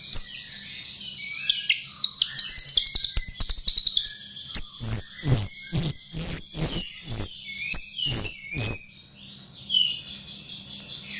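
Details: Chestnut-tailed starling used as a lure: a long rapid series of high ticking chirps over a shrill hum, then about eight sharp clicking notes, then a brief quiet gap.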